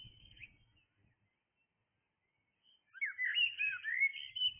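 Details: A blackbird singing in the early morning hours gives a short warbled note, pauses, then a rich, tumbling phrase of fluty and twittering notes over a faint low rumble.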